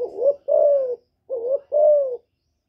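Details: Female spotted dove cooing to stimulate males, recorded live without background noise; two pairs of soft, hollow coos, each a short rising note followed by a longer, level, slightly falling coo, with a brief pause between pairs.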